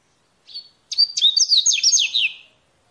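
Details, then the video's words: Wild coleirinho (mateiro style song) singing in nature: a short whistled note, then a rapid run of bright, sweeping chirps and trills lasting about a second and a half, clear against a quiet background. "Esquenta qualquer coleirinho com esse canto mateiro"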